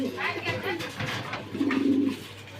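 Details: Pigeon at a farm in Mirpur 1, Zahurabad, giving a low, purring coo of about half a second near the end, after a stretch of human voices and indoor clutter.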